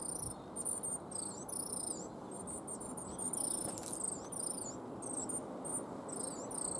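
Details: Coal Tit in a yew tree in a yard in Cambridge, UK, on 12 March 2015, making a strange noise before a sparrowhawk landed nearby and panicked the birds; very high, thin, squeaky wavering notes repeated rapidly over a steady background hiss.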